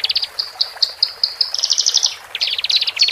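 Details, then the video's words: Horsfield's bush lark song, male and female, caged, played to help birds newly separated from the flock settle; rapid high trills and clicking pulses, a long buzzy level stretch, then fast rising chip series. "Pancingan Branjangan Jantan Dan Betina"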